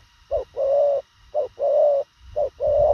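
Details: Spotted dove in thổ khàng style cooing at speed: three regular phrases, each a short note then a steady, sustained hollow coo, about one phrase per second.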